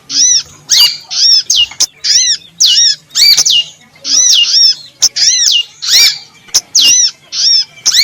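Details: Female prinia calling, used to attract birds: a fast series of buzzy, arch-shaped mewing notes repeated roughly every half second, harsh and nasal, over a faint low hum.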